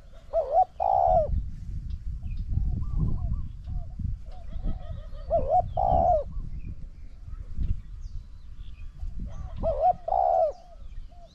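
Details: Spotted dove calling during a decoy challenge with a wild bird that coos very well: three cooing phrases about four seconds apart, each a short double hoot then an extended purr, over steady low background noise.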